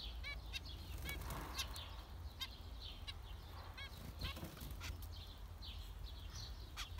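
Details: Zebra finches calling with scattered short nasal beeps from more than one bird, set against a loud low rumbling background.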